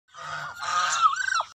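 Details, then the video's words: Muscovy drake gives one raspy, nasal call lasting about a second and a half, breathy throughout, with a wavering upward then dropping inflection at the end. "duck muscovy drake sound"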